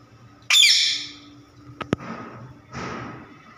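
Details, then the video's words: Pet parrot said to be laughing, giving one sudden loud, harsh screech that fades over half a second, followed by two sharp clicks and a softer breathy burst, with a steady electrical hum throughout. "Funny parrot laughing"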